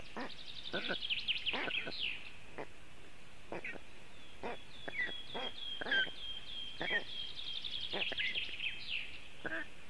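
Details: Young black storks at a webcam-watched nest in Latvia, calling for cooling on a very hot day while left alone by the adults. Dense bursts of hoarse, harmonic, rising squeals repeat throughout, overlapping one another.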